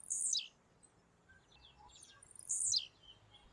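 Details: A Blue-black Grassquit among urban birds gives its thin, buzzy, falling 'tziu' song twice, about two seconds apart.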